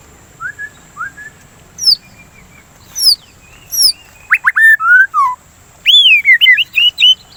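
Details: White-rumped shama song, used as a lure recording to stimulate singing and as therapy against breeding urge: scattered short whistles building into a loud burst of rapid rising and falling whistled notes.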